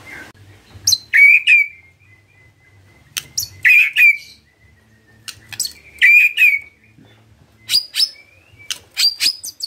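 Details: White-rumped shama lure song for prompting other shamas to sing: short bursts of sharp clicks and bright whistled notes in spaced phrases every couple of seconds, with a faint low hum between them.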